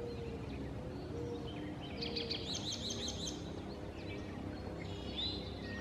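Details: Eastern towhee odd song variant, apparently including an American robin call, recorded 2 May 2015 in Cecil County, Maryland: a quick, high, buzzy trill of rapid repeated notes, then a thin rising whistle, over a steady low rumble.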